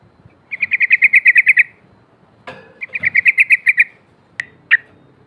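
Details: Two rapid, bright chattering rattles of about ten notes each from a female sooty-headed bulbul calling out rivals, with a knocking sound between them and two lone sharp notes at the end.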